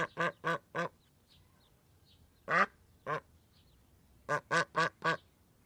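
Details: Duck quacking in short bursts: a quick run of three nasal quacks, two spaced single quacks, then four rapid quacks, over quiet background hiss.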